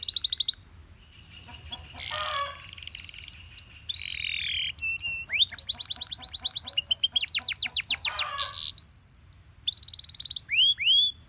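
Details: Morning song of a Belgian canary, varied phrases of buzzy notes and upslurred whistles, followed by a long rapid trill of sweeping notes and closing clear rising whistles repeated in separate bursts.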